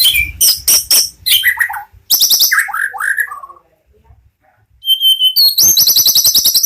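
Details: Captive white-rumped shama from a national-champion bloodline, kept at a bird farm, singing in full voice: a fast, varied run of sharp high notes, descending slurred whistles, brief pauses, then a long rapid series of repeated ringing notes.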